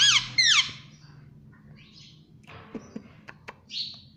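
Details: Pet Indian ringneck parakeet lets out two loud, downward-sliding shrill chirps in quick succession, followed by quiet pauses, scattered clicks and taps, and a final soft high note.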